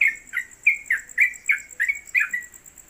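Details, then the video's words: New trucuk (Yellow-vented Bulbul) in a hanging cage, singing in the 'konslet kemedol' style and fit as a tutor bird: lively chirped notes and short level whistles, about three per second, over a faint high background whine. "Trucuk Konslet Kemedol Berdurasi Pendatang Baru Cocok Masteran"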